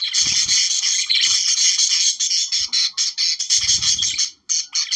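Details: Budgerigar song used to encourage breeding: a continuous high chattering warble with scratchy buzzes and whistled notes, broken by a few low thuds and a brief pause near the end.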